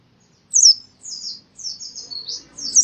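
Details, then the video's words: White-eye from Central Java, Indonesia, in forest-style singing. Five high, slightly buzzy notes, each slurring downward, spaced about half a second apart, with faint low background murmur. "masteran burung pleci suara seperti di hutan"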